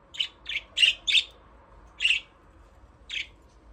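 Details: Budgerigars playing in an aviary: a quick run of four scratchy chirps, then single chirps spaced about a second apart.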